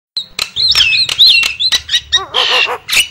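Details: Javan myna lure call: a rapid mix of sharp broadband clicks, whistled notes sliding around a high pitch, and a burst of harsh chattering, with a low rippled series of notes near the end.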